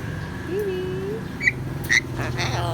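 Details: A pet grey parrot, coaxed by its owner to say "hello", gives a short speech-like utterance, then two sharp bright whistled chirps, over a low hum of traffic.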